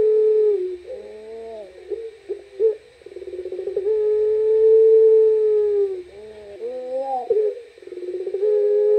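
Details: Puter pelung turtle dove heard at night: wavering throaty notes with brief pulses, then a long even low coo lasting about two seconds, followed by another bubbling phrase and a further coo.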